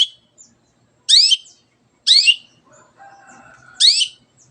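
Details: Long-tailed shrike singing loudly to stir silent birds to sing: three strong swept notes sliding upward into a harsh rasp, about a second or more apart, with faint thin whistles between.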